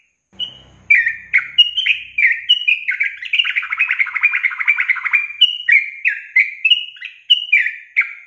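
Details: A yellow-vented bulbul in a tutor recording featuring its long roll gives bright, bubbly chirped phrases with a long rapid rolling trill in the middle, clear and loud with no other sounds.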